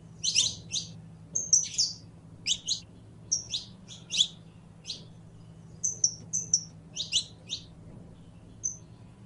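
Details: Canario criollo, the saffron finch, singing energetically: dense series of sharp high chips in pairs and triplets, interspersed with thin whistled notes, nearly continuous for several seconds, with a low background hum.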